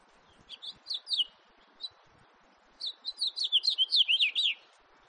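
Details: House finch, 2018 recording: a short burst of sweet chirps and a lone note, then a quick, lively warble of around fourteen high slurred notes. Faint low hum underneath.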